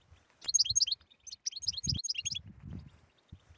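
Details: European goldfinch delivering 'btbta' song, used as a stimulating recording for silent goldfinches: two quick runs of sharp, sweet chirps and trills, then low rumbling thuds.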